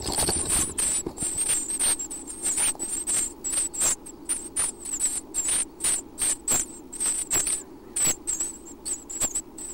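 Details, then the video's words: Early-morning feeding in a Half Moon Bay, California nest box holding six chicks about one week old. The Chestnut-backed Chickadee nestlings give a near-continuous stream of very high, squeaky begging notes, broken by rustling knocks, over the steady surf of the Pacific Ocean. "Breakfast time in Chestnut-backed Chickadee Nest"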